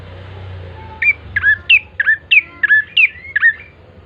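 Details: Bar-winged prinia in lively form, used as a lure to start other birds singing: a quick run of about eight sharp, clipped notes, each sliding down then flicking, evenly spaced.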